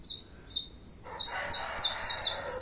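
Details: Saffron finch in full song: a few spaced high chirps that speed up into a rapid, loud run of bright descending notes, with a faint buzzy undertone beneath the later phrases.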